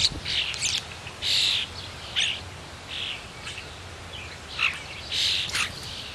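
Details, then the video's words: A talkative blue jay taking its turn at a suet feeder gives a series of short, harsh, buzzy calls at uneven intervals of about half a second to a second, against a low outdoor background. "Chatty bluejay gets a turn at the suet"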